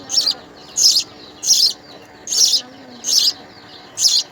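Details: Begging of house sparrow babies fed with insects at the nest: a steady series of short, high, raspy bursts, about one every two-thirds of a second, over quiet background.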